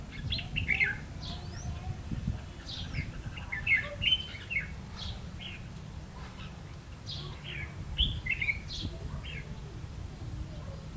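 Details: Decoy red-whiskered bulbul (ché type) singing during a trapping session, 30 May 2016: bursts of quick, lively chirps and slurred whistles in short phrases, repeated over eleven seconds against faint background rumble.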